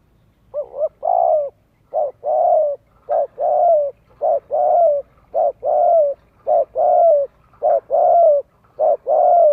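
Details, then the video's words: Spotted dove cooing to lure wild doves and train young birds' voices: a steady run of deep, hollow two-part coos, a short note then a longer drawn-out one, repeated about once a second in a quiet setting. "Chim cu gáy kích bổi nhanh nổi, luyện giọng chim non, kích mồi cực sung."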